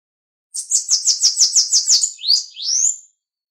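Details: Bananaquit (Coereba flaveola) song played to warm up other bananaquits: a fast run of about eight high, buzzy sibilant notes, then a sweeping rising whistle and a final high trill, all very high-pitched.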